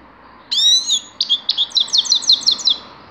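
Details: A grey-crowned goldfinch opens with a drawn-out nasal, downslurred note, then gives a steady string of about nine short, high, falling chirps, roughly six to seven per second.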